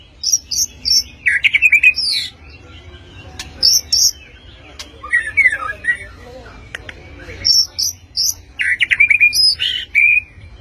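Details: Speckled-plumaged white-rumped shama delivering sharp, piercing song: repeated clear high whistles in groups of three, interspersed with buzzy trills and chattering phrases, separated by brief pauses over low hum.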